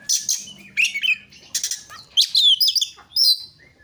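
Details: Oriental magpie-robin singing, used to lure other magpie-robins: buzzy, scratchy bursts alternating with whistled slurs. A steady low hum is heard early on.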